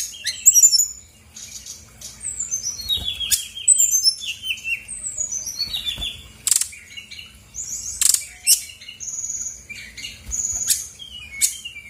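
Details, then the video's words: Female Brown-chested Jungle Flycatcher of Bali stock, used to draw responses from quiet birds: cascades of descending whistled notes, scattered sharp clicks and short steady high tones, moderately loud throughout. "PANCINGAN SRDC GACOR BONGKAR ISIAN/BURUNG MALAS BUNYI AUTO EMOSI RESPON NYAUT!!!"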